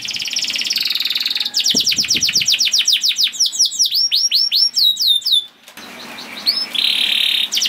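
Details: Canary song played to stimulate other canaries to sing: opening buzzy trill, then rapid repeated downward-sweeping whistles and looping chirps, a short pause, and a final steady high trill over light background noise.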